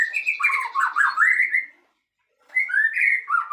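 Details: White-rumped shama (Copsychus malabaricus), song.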